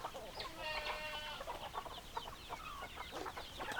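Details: Hens clucking and a rooster crowing: a drawn-out harmonic crow rises above a busy chorus of short overlapping clucks, with steady background noise throughout.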